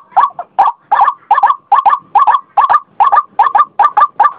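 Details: Croaking notes of a white-breasted waterhen delivered in quick doubled pairs, each pair harsh and clipped, repeated about two times per second.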